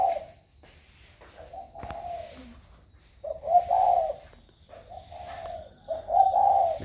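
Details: Young caged spotted dove, newly cooing with a warm 'thổ' voice; a series of low, mellow, two-part hooting coos repeats steadily with one sharp click partway through.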